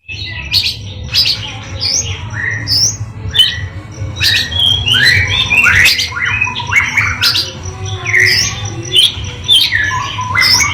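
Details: Oriental magpie-robin, kept as a songbird in Indonesia, singing a varied, lively song of sharp whistled notes, rising and falling phrases and quick chirps in dense bursts, with a steady low hum beneath.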